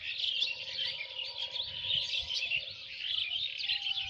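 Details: Birdsong in the rural countryside of Lalmonirhat: a dense, continuous chorus of many high twittering and chirping birds overlapping, with a faint low hum beneath.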